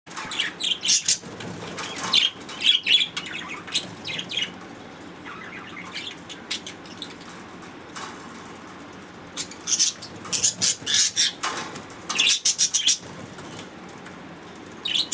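Budgerigars chirping in quick, scratchy bursts of high chatter with short pauses between.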